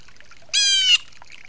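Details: Blue jay screaming while bathing, as if warning others to stay away: a single harsh, rasping, buzzy scream lasting about half a second, rich in stacked overtones, over faint splashing water.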